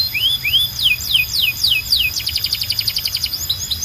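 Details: Belgian canary calling other canaries to sing with a row of rising then falling whistled slurs, followed by a quick run of stacked trilled notes and a few final sweeps.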